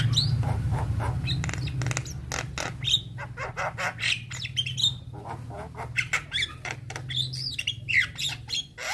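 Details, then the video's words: Young Javan myna in full gacor song loaded with varied phrases, a sound said to make other mynas answer; rapid harsh clicks and squawky notes over a steady low hum. "Burung Jalak Muda Pasti Nyaut Saat Dengar Kicauan Jalak Kebo Muda gacor Full Isian"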